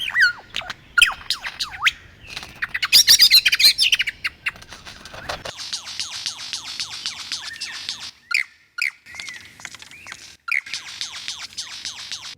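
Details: Superb lyrebird in Australian rainforest pours out a fast medley of borrowed sounds, with looping whistles, sweeping slurred notes and harsh buzzy rattles, switching style every second or two.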